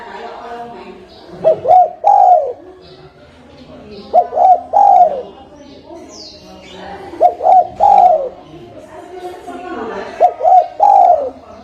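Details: Lure call of the tekukur, or spotted dove, for bird trapping. Four mellow coo-coo-croo phrases about three seconds apart, each ending in a long falling note, over steady background hiss.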